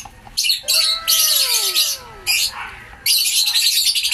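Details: Caged African lovebirds in a keeper's aviary: sustained shrill screeching squawks in long bursts, with faint descending whistled tones running underneath.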